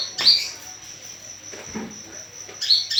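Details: Olive-backed sunbird calling to lure a response: one sharp high double chirp at the start and another at the end, separated by a quiet gap with a faint thud, over a steady high whine.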